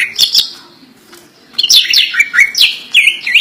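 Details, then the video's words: Greater green leafbird kept as a pet, singing an isian song of imitations: a few sharp chips, a near-silent pause, then a lively string of loud downward-swooping whistles and sharp slurred notes. "cucak ijo full isian"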